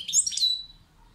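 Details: European goldfinch delivering a quick, high, liquid twitter lasting about half a second, a tight cluster of bright tinkling notes fading into quiet.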